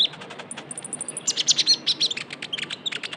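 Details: Young Javan white-eye calling as a lure sound: rapid, dense high thin chirps and tweets, a short run of evenly spaced piping notes near the middle, then a busy jumble of sharp chirps about three per second.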